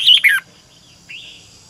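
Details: A decoy red-whiskered bulbul's double-voiced morning song, recorded in 2020 to train other birds. One loud, quick, warbled phrase is followed after a pause by a softer rising whistled note.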